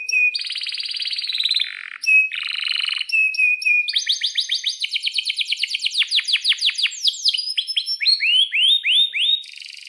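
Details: Long rolling canary song in breeding mood, played to lure other canaries into song. Buzzy sustained trills alternate with thin whistles, then a fast train of sharp downslurred notes slows into swooping upslurs.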